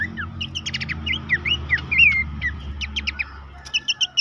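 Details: Horsfield's babbler song played to get caged birds singing: bright slurred whistles and quick chirp bursts, ending in four evenly spaced high notes, with steady low background rumble.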